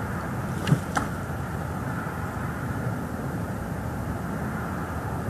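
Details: Constant hiss and low rumble of vehicles outdoors, with one brief knock early on and no animal calls.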